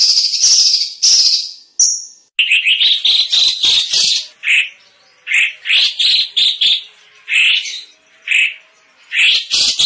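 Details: Cucak cungkok, a bird kept as a vocal tutor for competition songbirds and said to have a loud, dense voice, opens with a steady high buzzing, then gives quick grouped bursts of strident chattering notes in clustered phrases.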